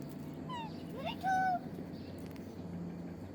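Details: A pet Alexandrine parakeet (talking "mithu") that came to a maize field gives a short falling note, a quick upward sweep, then a loud, steady nasal tone of about a third of a second, over a low hum.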